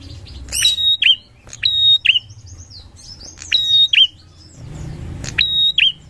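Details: Lure recording of a Bar-winged prinia in full song: four bright whistled phrases in six seconds, each a sustained high note snapping into a short downward-curled flick, delivered loudly over a quiet low hum.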